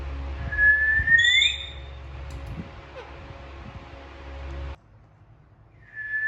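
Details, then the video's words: Alexandrine parakeets talking and playing; a single clear whistle sweeping upward with a thin high tone above it, then near silence until another whistle starts at the end. "Alexander parrots talking and playing | natural sounds of parrotd"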